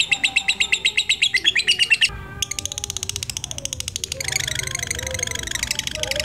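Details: Black-eyed lutino lovebird, a caged pet whose sound serves to lure other lovebirds: rapid rhythmic harsh chirps, a short pause near two seconds, then dense buzzing chatter continuing to the end.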